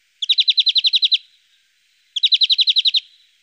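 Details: European Greenfinch at a Russian forest edge giving two bright, rapid trills of about ten even notes each, high-pitched and lasting about a second, with a short pause between; no other sounds.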